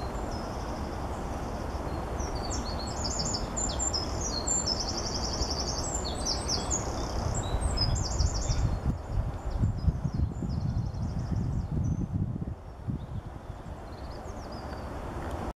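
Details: A Eurasian wren in March 2016 at the Gentbrugse Meersen, Ghent, Belgium, pours out a loud, very high, rapid song of sharp notes and rattling trills for several seconds, over a steady low rumble of wind or traffic.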